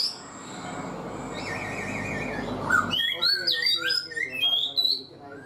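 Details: Black-throated laughingthrush kept caged for four months; after three seconds of muffled indoor noise, a burst of sharp, high whistled notes and quick slurred phrases follows, some sweeping up and down.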